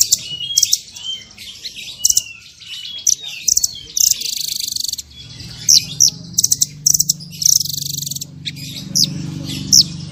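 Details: Small bird pouring out masteran 'tembakan' variations: dense, high chips and buzzy trills, sharp stuttered clusters and a steady, buzzing run, with a faint low hum underneath.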